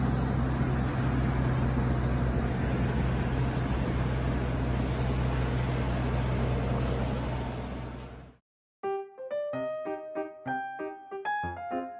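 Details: Steady engine rumble and road noise for eight seconds, then a brief silence before a piano-like musical passage of tonal notes.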